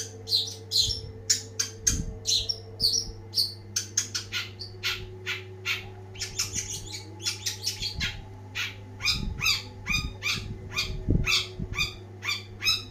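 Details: Long-tailed shrike in full, energetic song: a fast, varied chatter of scratchy squawks and sharp chirps, closely packed, with steady low hum and a few low thumps beneath.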